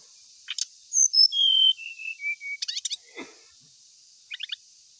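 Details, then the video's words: Lure song of an ashy tailorbird: bright slurred whistles, then a long steady whistle, then a falling series of short whistled notes. Scattered clicking chips and a low brief rasp follow over a constant high hiss. "1menit srdc langsung gacor"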